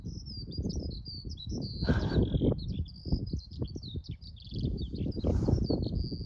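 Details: Eurasian skylark singing over Arranmore, Donegal, Ireland, in March 2024: a continuous high warbling stream of rapid chirps and trills with no pauses, over steady low wind rumble.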